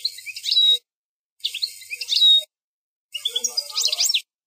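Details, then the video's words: European goldfinch singing the 'plak mine' song style, presented as the fourth segment of a song without errors; three short bursts of twittering, buzzy and tinkling notes high in pitch, separated by brief silences. "04 chant plak mine ,canto del jilguros plak mine,غناء حسون بلاك مين بدون غلاطات"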